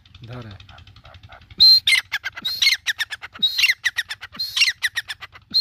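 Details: An Iranian partridge (teetar), apparently a city-calling bird, gives loud, harsh, ringing calls in quick repeated phrases, about one burst each second, with a faint low murmur at the start.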